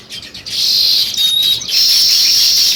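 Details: Sparrow chirping as a continuous, bright, high-pitched chatter of overlapping tweets, with a brief dip before the chorus swells again.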